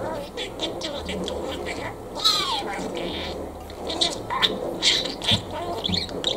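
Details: Male lutino pet budgerigar in Japan, filmed secretly, laughing and talking: a stream of chattering, scratchy murmurs with squeaky whistled notes and sliding chirps, uneven in rhythm, over soft indoor background noise.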